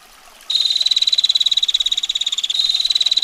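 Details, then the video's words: Female bar-winged prinia giving a sharp ngetir call: a fast, even run of high ticking notes, about fifteen per second, held for nearly three seconds after a short quiet start, with a steady hiss behind. "Prenjak Betina Gacor Ngetir Rapat Tajam Kasar Roll Panjang"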